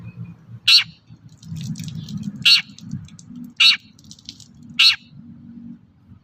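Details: Long-tailed shrike singing strongly, played as a lure to draw song from other shrikes: four rasping, scratchy notes spaced one to one and a half seconds apart, with faint softer chatter between and a low rumble beneath.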